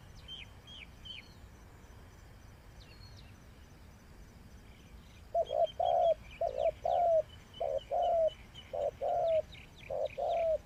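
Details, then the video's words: Decoy spotted dove for trapping: thin high chirps of other birds at first, then the dove starts rhythmic deep coos, a short note paired with a longer one, roughly every second. "Sound Of Spotted Dove is so good"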